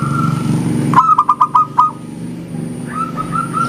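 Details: Local zebra dove with a clear engkel: one tight burst of five bouncing coos, then softer distant cooing continues beneath a low hum.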